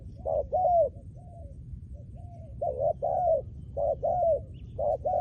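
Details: Trained spotted dove used as a decoy gives a series of deep, soft coos. Short notes pair with longer slurred ones in phrases separated by brief quieter gaps, with a low murmur beneath.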